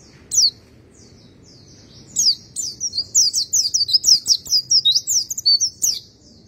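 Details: White-eye, known locally as pleci: a rapid, high-pitched twittering run of short sliding whistles that starts with one chirp, pauses, then continues in a steady jumble for about four seconds over low background rumble.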